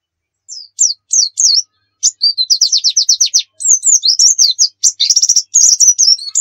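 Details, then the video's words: White-eye song, an energetic rapid 'nembak' style used as a lure: high thin whistled notes sliding down, then a fast run of buzzy repeated slurs and sweeping twitters, all high-pitched and clean, no other sounds. "Masteran Pleci Nembak"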